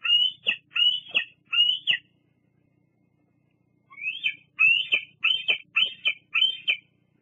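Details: Young bald eagle at Fraser Point, 8 August 2022, squeeing on the nest near a sibling and parent: three shrill, rising-then-falling whistled squeals, a pause, then five more in a quick run.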